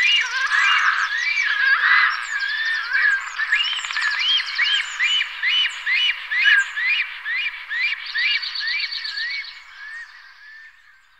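Black stork giving a fast series of wheezy, rising-and-falling whistled notes, about two a second, over a hissing rasp, fading away at the end.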